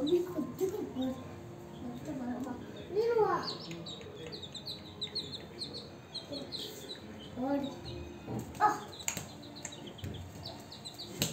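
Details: Newly hatched domestic chicks at home, hunting and eating cockroaches. Thin, high peeping chirps repeat steadily throughout, while a person talks in the background.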